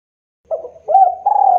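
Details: Spotted dove lure call used to entice rival birds to answer; one brief cooing phrase, a soft opening coo, then a louder hollow note and a sustained steady coo.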